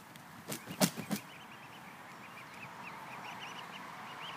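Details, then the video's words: After a few loud knocks, a swan family on grass, sated after feeding, gives a steady string of small arched peep notes, rapid and fairly even, against a constant outdoor hiss. "Swan family on the grass sated by swan food and is doing peep peep"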